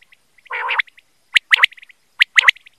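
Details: Quail calling in a clean recording made for quail hunting: a harsh buzzy burst, then paired and tripled sharp clipped notes in quick bursts, with soft short piping notes between.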